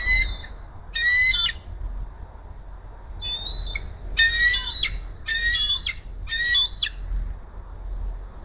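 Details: At the Hays nest, the female bald eagle sounds her food siren while the male arrives with a rat gift, 10:39 AM: a rapid series of high, shrill, squealing notes, about six bursts with short gaps, over faint low noise.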